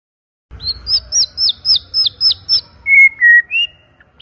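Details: Loud, clear white-rumped shama 'pancingan' song: seven sharp, high downward-flicking notes in even rhythm, followed by three lower, longer whistles and a short rising note.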